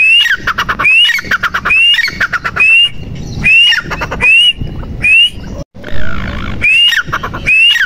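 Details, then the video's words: Teetar, the francolin, giving male and female calls: strident repeated phrases of a rising whistled note and quick harsh clucks, steady at around once per second, a second bird overlapping, some low background rumble. "Teetar Ki Awaaz | Teetar Ki Awaz | Mada Teetar Ki Awaz | Madi Teetar Ki Awaz"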